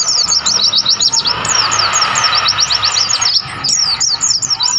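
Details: Bright, high-pitched twittering of a wild mountain white-eye in the mountains of Mount Lawu, Tawangmangu: fast series of short downslurred chirps, sometimes pausing briefly, over steady natural background hiss.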